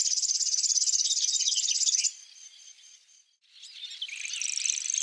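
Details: Grass warbler gives a high, rapid pulsed trill for about two seconds, then stops abruptly; after a near-silent gap the reeling song fades back in at lower volume.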